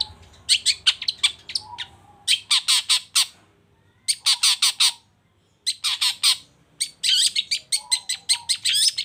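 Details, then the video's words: Long-tailed shrike, a caged songbird in Indonesia, singing in energetic bursts: rapid runs of harsh, scratchy chattering notes grouped in short volleys separated by brief pauses, with a faint low hum in the background. "CENDET GACOR"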